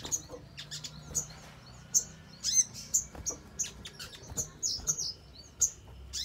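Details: Crimson sunbird calling to provoke other birds into song: bright, high, clipped chirps repeated in quick irregular succession, a few with brief downward slurs, over a soft steady background hum.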